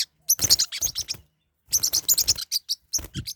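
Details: Pet Forpus parrotlets fighting: two bursts of rapid, harsh, high-pitched chirps and scratchy squeaks, about a second each, with soft thumps and scuffling underneath, separated by a short silence.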